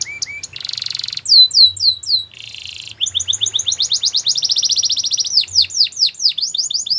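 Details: A Belgian canary mixes low chirps, buzzy rolls, and curling slurred whistles, then settles into a long quick trill of rising notes with sharp down-sweeps at the end.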